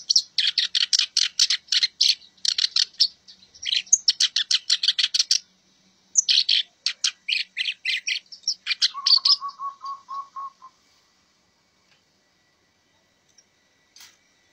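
Black-browed reed warbler song: rapid bursts of harsh, scratchy chattering notes, ending in a lower repeated trill.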